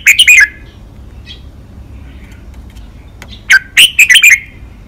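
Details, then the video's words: Red-whiskered bulbul, a cage bird, singing a crisp five-syllable model song in the lak wai style for training other birds: a quick run of bright whistled notes, a quiet pause, then a second similar warbled phrase near the end. "นกกรงหัวจุก เจ้ากวนอู เสียงร้อง 5 พยางค์ แม่บท ลากหวาย คมชัด ไว้ฝึกนก (เสียงฝึกร้อง)"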